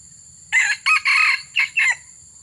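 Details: Crow of a red junglefowl during a session luring wild birds: five harsh, clipped bursts in quick succession lasting about one and a half seconds, the final notes sliding down, with little else audible.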